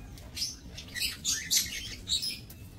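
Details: Budgerigars in a small breeding aviary, recorded 28 November 2024; busy high twittering chatter with bright chirps packed closely together, several birds calling over a soft low hum.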